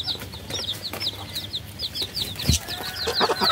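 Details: Baby chickens peeping continuously, many short high chirps overlapping, some falling in pitch, with a few soft knocks and scuffles in the background.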